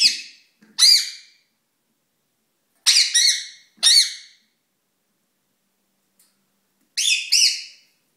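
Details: Caged ringneck parakeet kept as a pet, courting indoors; loud grating squawks in paired syllables, rising then falling, given in bursts separated by one to three seconds of quiet, with a soft low knock between calls.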